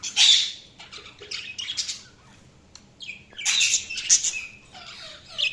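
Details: Budgies chirping with loud harsh screeches and scratchy warbling, interspersed with quick clicky notes and quieter twitters.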